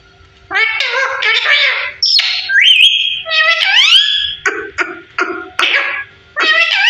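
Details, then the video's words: Parrot aged 15 talking indoors: rich harmonic babble, a rising swooping whistle held level, then choppy voice-like syllables and short squawks. "15 Year very beautiful parrot talking"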